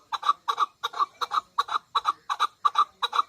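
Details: Female chukar partridge calling in a steady series of doubled chuck notes, about three pairs each second, clear and evenly spaced against a quiet background.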